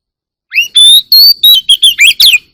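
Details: Morning song of an Oriental magpie-robin, a loud two-second phrase of clean whistles: an upward-sliding note, a sustained high tone, then a string of brisk, slurred chips ending in a burry flourish. No other sounds.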